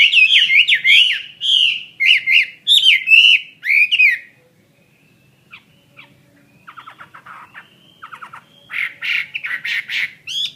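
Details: Chinese hwamei kept as a fighting bird gives about four seconds of loud looping whistles, then falls quiet. Soft rattled notes follow, and it ends with a burst of strong, buzzy whistled phrases.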